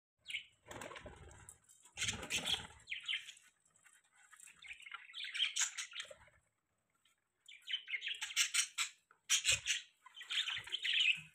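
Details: Budgerigars chirping: bursts of scratchy, warbling high chatter broken by short pauses, with wing flutters and rustling.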